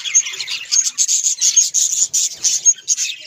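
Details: Pulsing bursts of chirps and warbles from kept budgerigars, with a few piercing high tweets riding over the rapid, rhythmic chatter.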